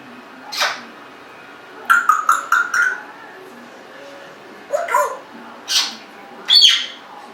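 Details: Pet Congo African grey parrot aged 1.5 years giving a quick run of repeated clicking notes, then several harsh squawk-like bursts and a high squeak, indoors.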